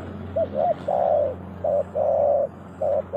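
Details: Spotted dove used as a lure for bird trapping in Indonesia: rhythmic phrases of two short coos followed by a long sustained coo, repeated, over a steady low engine-like hum.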